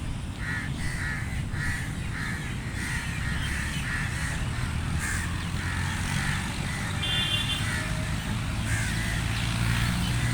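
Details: Crows at feeding time cawing rapidly in a quick series of rough calls, later a brief higher buzzy note, over loud low rumbling like passing traffic.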